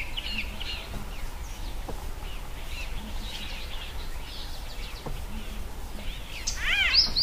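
White-bellied sunbird giving thin, high chirps and twitters that build into a fast, louder burst of rising and falling notes at the end, over a steady low rumble.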